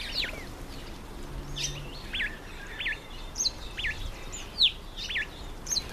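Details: Karoo thrush, a bird that likes to bathe alone, calling while bathing; short, sharp notes slurring steeply downward, repeated about twice a second at uneven intervals over a steady background hiss.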